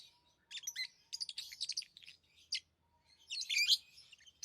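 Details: Tamed lovebirds chirping: scratchy high chirps in quick clusters, a faint steady low hum underneath, a pause, then a louder squeaky burst near the end.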